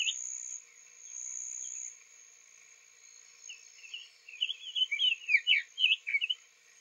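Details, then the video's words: Recently arrived male Summer Tanager singing softly in Lafayette County, Florida, on an April 3, 2023 morning; after a quiet start, a rich string of quick slurred, burry notes builds in the second half, above a constant high insect whine. "Summer Tanager Singing Softly"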